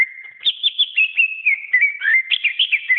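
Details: Greater green leafbird (cucak ijo) delivering a busy, varied song meant as a tutor for pet birds: a sustained whistle opens, then a quick jumble of warbled, up-and-down whistled phrases and short chirps without pause.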